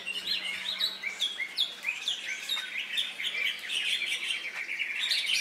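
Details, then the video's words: A caged greater green leafbird, just out of its moult and entered in a bird-song contest, sings a fast, unbroken stream of high chattering notes and sharp whistled phrases, with a low steady hum beneath. "Cucak Hijau Jabrik Tarik"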